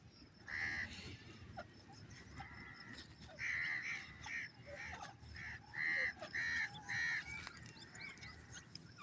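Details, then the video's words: On a morning in open country, a dark francolin perched on a stone gives loud, harsh, grating notes in quick repeated bursts, roughly two per second, over a low background rumble. "TEETAR AWAZ"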